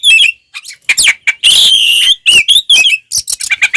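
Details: Oriental magpie-robin in aggressive fighting song to provoke others: loud jumbled bursts of scratchy notes, whistled glides and a long buzzy phrase, packed tightly together.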